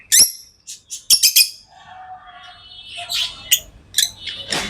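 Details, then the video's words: Tame lovebirds with scattered shrill chirps. A soft, wavering warble sits in the middle and higher squeaky notes follow, all against a quiet background. "Love birds Sounds | lovebirds chirping sounds| parrot beautiful sounds"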